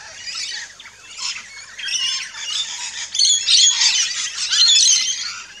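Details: Rainbow lorikeets at a backyard feeding station in Australia, a flock giving dense, shrill, high-pitched screeches and chirps that overlap continuously and grow louder in the second half.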